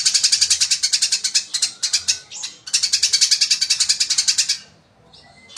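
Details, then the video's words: Eurasian tree sparrow in fighting mode delivering bursts of fast, shrill chirping, pausing briefly, then another rapid run that fades into quiet with one thin note at the end. "GREJA TARUNG GACOR SPEED RAPAT SUARA ASLI"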